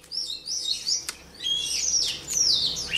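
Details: White-rumped shama song recorded for training songbird voices: fairly soft, rapid high whistles and trills in quick bursts, one sharp click near the start, with a faint low hum behind.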